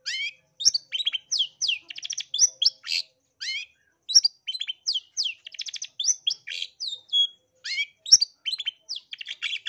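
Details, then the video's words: East Javan long-tailed shrike song played to provoke aggressive singing: a rapid, varied stream of buzzy notes, short rattles and sweeping whistled chirps, delivered almost without pause. "Pancingan dan Masteran Cendet Jatim biar Gacor Dor Emosi"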